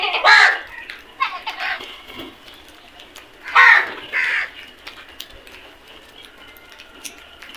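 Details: Feeding crow flock, two clusters of hoarse caws about three seconds apart, fainter calls in between and a quiet tail.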